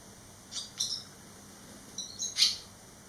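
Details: Barn swallow fledglings, three of them back eleven days after leaving the nest; a pair of high chirps, then a pause, then twittering notes ending in a loud sharp chirp.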